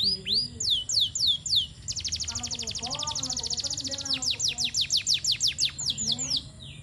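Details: Canary training master song from a garden setting: opens with several sweeping downward whistled notes, then a fast dense rattling trill, then spaced falling whistles repeated about three per second, with faint low murmur beneath.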